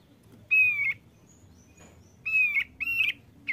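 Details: Male thick-billed white-eye, a frequent singer, uttering drawn-out buzzy nasal calls: a single one, then two close together and a short clipped note at the end, over faint low background hum.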